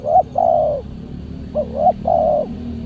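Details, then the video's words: Spotted dove cooing on a Saturday trapping outing, where a decoy bird is answered by a wild bird described as very aggressive; four mellow, low hooting notes, two short and two long, with a steady low hum behind. "PIKAT BURUNG TEKUKUR D GIMBALIN BL SUPER g4Rang"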